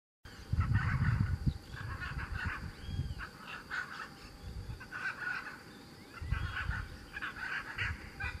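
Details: Chaco chachalaca (Ortalis canicollis) in the Pantanal giving loud, harsh, raucous calls in rapid rhythmic bursts, several phrases over a few seconds, with heavy low wind rumble underneath.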